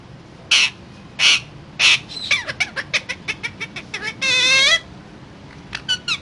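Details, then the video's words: Parrot gives three spaced harsh squawks, then a fast run of short clicking chirps, a long buzzy wavering call, and a few final clipped notes. "Parrot Talking"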